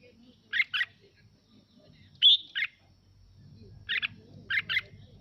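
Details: Red-whiskered bulbul singing to provoke other birds into song. Paired buzzy chirps and one ringing, rising whistle come in short bursts with pauses between them, over faint low rumbling in the background.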